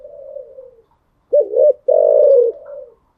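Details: Early-day spotted dove song: a gentle falling coo, silence, then a crisp double note leading into a long buzzing coo that fades softly.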